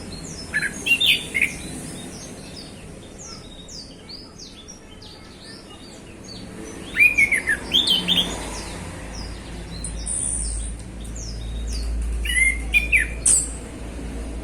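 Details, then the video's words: Afternoon song of a caged male orange-headed thrush: scattered bursts of rich, varied whistles and thin high chips, in several phrases separated by pauses, over steady low background noise. "Anis Kembang Ngeplong Santai Sore"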